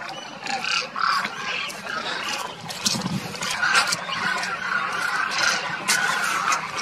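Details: Demoiselle cranes wintering in Rajasthan, India, near Kheechan village, migrants from Mongolia: repeated nasal trumpeting calls over a busy flock chorus, punctuated by sharp broadband clicks and snaps.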